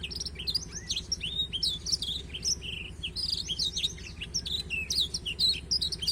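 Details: Lively song of a black-throated canary, used as training material for a canary: rapid sequences of high sweeping whistles, chirps and short trills running without a break, with a faint low hum beneath.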